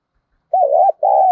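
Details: Brief cooing from a decoy spotted dove meant to lure wild birds: a quivering first note followed by a long, steady, level coo that is cut off.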